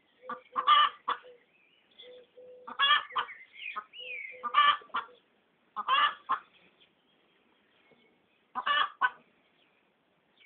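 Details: Domestic Pekin duck laughing at a person, giving loud clustered bursts of rasping quacks separated by quieter low nasal notes, with a short whistled rising-and-falling tone between bursts and longer gaps toward the end.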